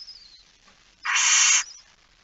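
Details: Barn owl family in a nest box at night, September 2019: a faint falling thin whistle, then one loud rasping hiss of about half a second, fading to quiet.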